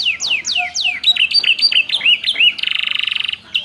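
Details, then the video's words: Tutor recording of canary song with ciblek and prenjak inserts for captive birds: long falling whistles, a run of short rising-falling notes, then a fast buzzy trill before a brief pause. "MASTERAN KENARI ISIAN CIBLEK PRENJAK MEWAH"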